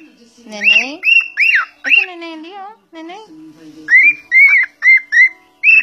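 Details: Cockatiel said to be talking: a low, buzzy, speech-like phrase with rising harmonics, then a run of bright arched whistles repeated rapidly, some doubled, with brief gaps.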